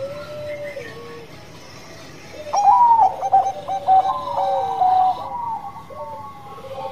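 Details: Zebra dove of the 'Banngko' type sings its 'bekur', a lure to prompt other birds: faint low tones, then a loud run of rapid stuttered notes and steady ringing coos, fading to soft lower notes.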